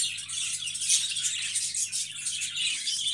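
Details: Budgerigars in a busy, overlapping stream of high, squeaky chirps and twittering, with a faint low hum behind.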